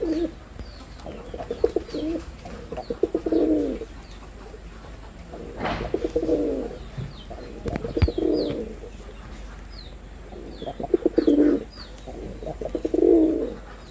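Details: Repeated cooing by a male red-bordered wild pigeon in performance: six or so low, pulsing, rolling coos spaced a couple of seconds apart, with a few sharp clicks or knocks and faint high bird chirps.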